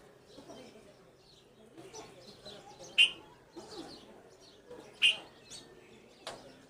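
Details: Red-vented bulbul calling: a few sharp, loud chirps around two seconds apart stand out over a soft, low murmur and faint twittering.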